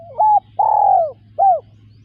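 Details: Spotted dove giving three mellow mid-pitched coos. The middle coo is long and slurs downward. The last is short and arched. A steady low hum runs underneath.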